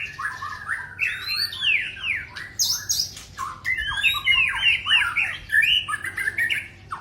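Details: Male white-rumped shama singing energetic phrases of swooping whistles and rasping notes, bursts repeated about every second or so.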